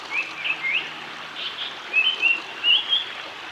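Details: Male Japanese paradise flycatcher singing in Oiso, Kanagawa, Japan, on 23 June 2020: a quiet run of short, high whistled notes, some rising and slurred, coming in small bursts over a faint, steady background hiss.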